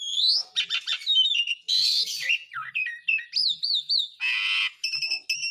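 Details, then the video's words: An Asian pied starling sings a calling lure for birds that refuse to sing: rising whistles, a loud harsh burst, wavering warbled notes and a grating squawk, then short repeated whistled phrases. "BURUNG MALAS BUNYI JADI GACOR LAGI (JALAK SUREN)"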